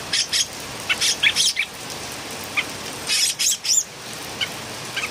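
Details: Noisy Philippine bulbul (pulanga) singing: clusters of harsh, scratchy chattering notes in bursts separated by brief pauses, with a few softer isolated notes toward the end and a hissy background.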